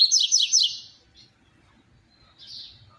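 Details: Double-collared seedeater, "tui tui zero zero" song style, meant to excite other caged seedeaters: a quick run of three loud, high, downslurred buzzy notes in under a second, then quiet, with one softer high note near the end.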